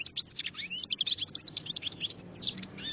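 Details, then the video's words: Continuous, dense European goldfinch song: high, tinkling, rapidly repeated chirps and trills running without a break over a quiet, low background hum. "Chant du chardonneret"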